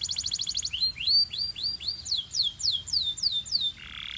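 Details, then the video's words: Belgian canary singing energetically: a quick buzzy trill opens, followed by a run of high, sweeping down-slurred whistled notes at a steady pace, closing on a brief buzzy note. "This BELGIAN CANARY SINGS BEAUTIFULLY - Heats Up Quickly!"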